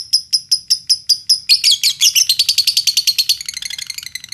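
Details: Lovebird singing to spur other lovebirds into song, Indonesia: spaced, sharp, high chirps give way to a rapid buzzy trill, ending in a quicker, softer chatter.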